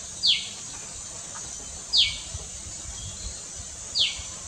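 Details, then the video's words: Common tailorbird, the loud little resident of a backyard at Doi Chorakhe, Mae Chan, Chiang Rai, on 26 June 2018. It gives three piercing, downward-sweeping notes spaced under two seconds apart against a constant shrill insect hum. "นกกระจิบธรรมดา (Common Tailorbird)"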